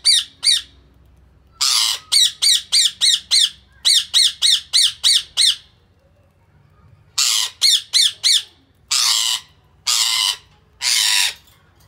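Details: Baby budgerigars sitting with their parents give rapid bursts of sharp, high squawks and chirps, with harsher buzzy screeches between.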